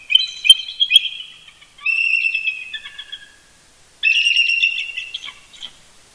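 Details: Pair of eagles calling to each other at dawn, Big Bear Lake, California, November 18, 2018: three shrill chattering phrases of quick piping notes, each lasting one to two seconds, with silent gaps between.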